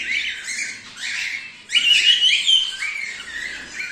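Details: Male silver cockatiel making harsh, grating squawks with chirpy rising notes in between. The calls run in uneven bursts and a louder screech comes near the middle.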